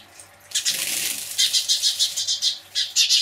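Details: House sparrows alarm calling in reaction to a Cooper's hawk: after a brief quiet start, loud harsh screeching chatter comes in rapid pulsing bursts, with a short lull before a final strong burst.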